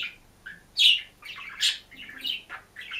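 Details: Single caged budgerigar chirping and singing: a few loud, sharp squeaky chirps mixed with softer scratchy chatter over three seconds.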